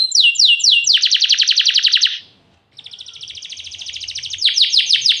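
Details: Vigorously singing canary, played as a lure to make other canaries answer. A few sweeping notes lead into a rapid rolling trill, then a short silence, then a high, very fast roll closing in slurred notes.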